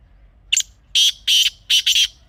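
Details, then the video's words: Harsh grey francolin call used as a hunting lure: a brief clipped opening note followed by four strident, raspy notes in quick succession, the final pair close together, with little else audible. "تازہ تیتر کی اصلی آواز | Teetar Ki Real Voice"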